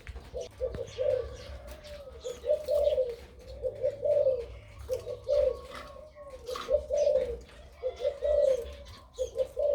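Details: Crossbred dove singing kharam style with a big voice and 2-3 'kuk' notes: a long run of about eight mellow, bubbling coo phrases at a steady pace. Occasional sharp clicks and distant bird chirps are also heard.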